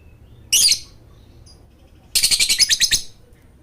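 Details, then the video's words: Lovebird sound used as a lure for lovebirds reluctant to sing: one short, harsh high chirp, then after a pause a burst of about a second of quick, pulsed chattering notes. "Pancingan Lovebird Ini Ampuh Untuk Memancing Lovebird Malas Bunyi"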